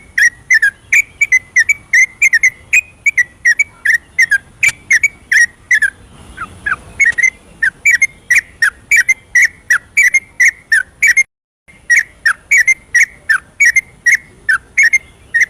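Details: Long night-time ropelan from a yellow-vented bulbul, used as a singing lure: a sustained torrent of short whistled notes, faltering briefly around the middle, cut by a moment of silence, then resuming.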